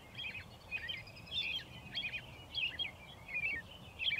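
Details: Near dusk in Shiloh, Illinois, on 6 April 2024, an American robin sings from railroad ties beside the tracks: bright, warbling two-to-three-note phrases come in rapid, slightly irregular succession against quiet background noise.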